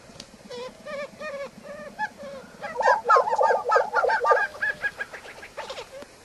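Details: Lesser prairie-chickens, a bird of shinnery oak and sandsage grasslands in the southwestern United States, give soft, nasal, bubbling notes, then a burst of rapid, overlapping cackling chatter about four per second, like several birds calling together.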